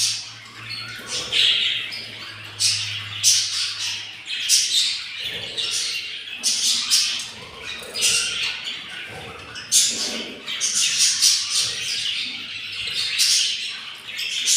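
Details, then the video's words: Yellow budgerigars caring for a nest of four hatching eggs on day 7, the hungry young calling: bursts of raspy, high squawking and chirping in uneven rapid runs, some louder peaks, with faint low hum early on. "yellow budgies take caire of their nest and hatching 4 eggs and they are very hungry"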